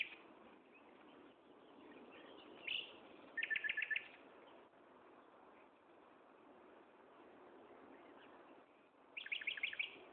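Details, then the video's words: Afternoon song of a common nightingale, Gaasperzoom, 16 May 2012 at 15:30: two bursts of rapid rattling repeated notes about six seconds apart, with a lone high chirp before, amid constant low hiss. "Nachtegaal zang"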